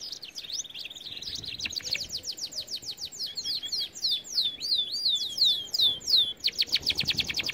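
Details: Canary song used for training canaries, a lively stream of rapid sweeping notes repeated several per second, shifting between chattering trills and bright descending whistles.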